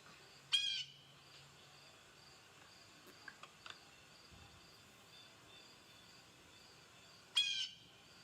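A blue jay gives two harsh, scratchy jeer calls about seven seconds apart, with faint clicks and a soft high ticking in the background.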